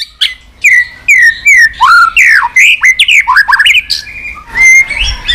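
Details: Continuous 'tạch' song of a white-rumped shama, used to liven up other shamas: a sharp note, then smooth falling whistles and rapid twisting slurs, closing with a long level whistle.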